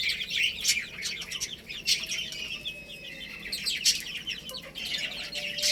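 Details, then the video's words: Playful baby hens chirping in a busy group, thin high peeps tumbling over one another, with a few louder piercing notes rising above the chatter. "Cute Little Chicks Chirping Sounds"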